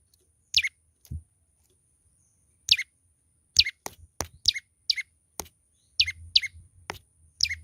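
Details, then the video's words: Young olive-backed tailorbird chattering vigorously. Repeated shrill chirps slide downward, coming faster toward the end in pairs, among crisp tapping clicks and a soft low hum. "burung prenjak lumut muda gacor"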